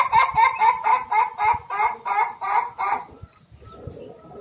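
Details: Laughing chicken (Ayam Ketawa) male kept in a coop, trained for a long continuous crow, gives about eleven quick, evenly spaced cackling pulses in three seconds before trailing into quieter background noise with a constant high tone.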